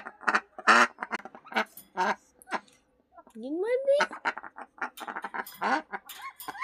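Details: Duck kept at home, giving short, harsh, nasal quacks in irregular bursts, some rapid runs, with a person's voice speaking greetings and brief laughter mixed in.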